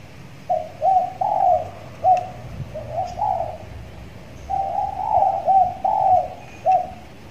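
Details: A caged six-month-old spotted dove in training, just starting to sing well, gives soft, mellow, low coos in two runs of about six notes each, with a short pause between them.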